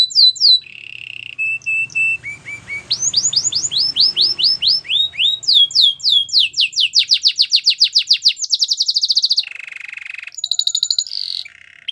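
A Belgian canary sings a loud, high, varied song of rapid trills, sweeping whistled notes and fast repeated chirps, with a faint low hum underneath.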